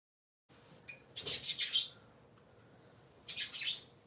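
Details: Three pet parakeets kept indoors on a Sunday morning give two short bursts of high, scratchy chirping, the first longer and a second near the end, with quiet room tone between.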